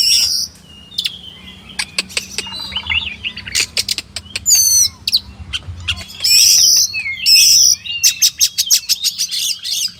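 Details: Oriental magpie-robin, known locally as kacer, singing sharp clicks, warbled trills and long buzzy high passages, with dense bursts of notes toward the end.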